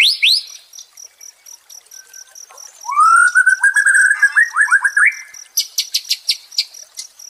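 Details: A White-rumped shama sings in a recording for therapy of a stressed shama: a soft pause, then a rising whistle that flows into quick slurred notes and a burst of sharp high clicks, with a faint steady high tone behind.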